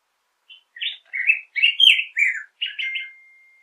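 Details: Black-headed Grosbeak (Pheucticus melanocephalus) singing a rich, robin-like warbled phrase of about eight slurred, rising and falling notes over three seconds, in otherwise quiet surroundings.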